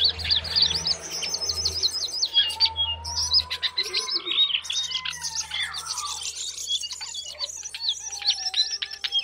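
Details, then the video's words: Lesser shortwing singing: a rapid, jumbled run of high twittering and warbled notes that goes on without a break, with a few longer, lower whistled slurs underneath and a low hum during the first few seconds. "lesser shortwing"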